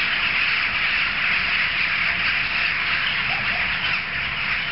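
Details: Many jackdaws calling together at a communal gathering, heard from streets away; rapid, constant chatter of harsh calls forms an unbroken, noisy chorus throughout.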